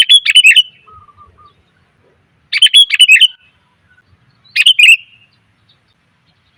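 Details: Female sooty-headed bulbul lure call, a female calling to attract males: three bright bursts of tumbling chirps, about two seconds apart, with faint soft whistles trailing after the first.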